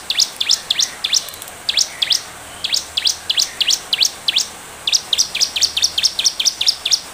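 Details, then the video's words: Bar-winged prinia used as a lure call to prompt other prinias to respond, giving loud, sharp, high chirps in quick runs of two to five notes, repeated steadily with short pauses between bursts. "Ciblek gacor, pancingan ciblek bahan biar cepat merespon"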